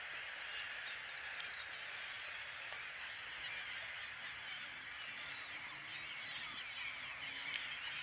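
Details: As an eagle approaches, many flying gulls give a dense, continuous chorus of harsh, overlapping squawks and cries, blurring into one steady wash of noise.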